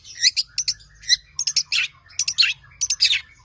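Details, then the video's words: Tame long-tailed shrike pouring out loud, scratchy mimicked phrases in quick groups of two or three notes, mixing sharp high chips with buzzy downward slurs, in a quiet setting. "BURUNG CENDET JINAK GACOR JUARA SUARA FULL ISIAN NEMBAK"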